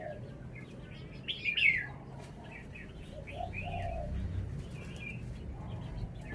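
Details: Red-whiskered bulbul: one loud, slurred whistled phrase followed by softer scattered notes over a steady low background hum.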